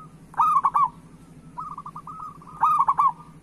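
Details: The local zebra dove, recorded as a singing prompt for other doves, gives two strong bubbling phrases of several quick coos. Softer, slightly wavering strings of short notes fall between them.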